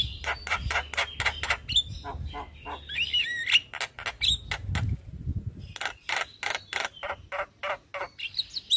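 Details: Javan myna in the morning, used as a master recording for caged birds: rapid clicking series with whistled slurs, a brief low rumble mid-way, then more clicks and high whistles.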